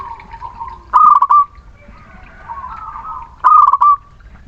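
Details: Zebra dove of local Muria stock, sung as a lure to get reluctant birds singing. Two bold phrases about two and a half seconds apart, each a quick stutter sliding into a held coo, with muted cooing in between.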